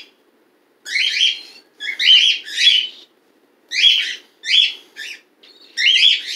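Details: Caged pet bird in a home where cats are present, its chick hatched December 12th 2018; harsh buzzy chirps given singly and in pairs, roughly every second, loud and close.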